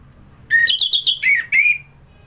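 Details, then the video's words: Orange-headed thrush singing ngeplong, a kept bird in Singaraja, Bali: a flat whistle, then quick ringing slurred notes that step down in pitch, finishing with a drawn-out warbled whistle. "ANIS MERAH Ngeplong"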